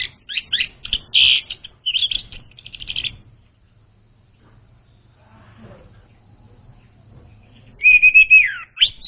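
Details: Orange-headed thrush song used as a lure for a raw bird: fast chattering run of high notes for three seconds, a long quiet hum, then a falling whistled phrase.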